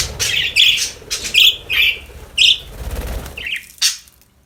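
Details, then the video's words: Happy budgerigars chirping steadily, rasping chirps with buzzy harmonics about once a second over busy chatter, fading after a final sharp squawk. "Happy budgies chirping sound for lonely birds"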